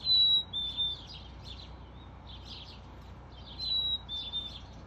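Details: A Black-capped chickadee in a NW Calgary, Alberta backyard at 12:46 pm on 5 July 2022 whistles its clear two-note song twice, a high note dropping to a slightly lower one, with soft chips between.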